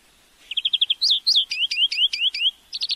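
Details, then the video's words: European greenfinch song on a recording made for tutoring a bird: a quick string of twittering notes leading into rapid, repeated downward-slurred chirps, closing with a short trill. "Flurya Ötüm Huylandırma-My real record education CarduelisChloris تغريد الحسون الأخضر الخضري لعشاقه"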